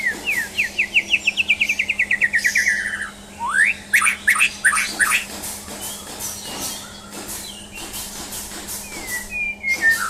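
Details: Champion white-rumped shama (murai batu) singing during a mental test: a fast run of about fifteen rising whistled notes, then a long descending slur, upward sweeps and sharp chips, with a steady low hum behind.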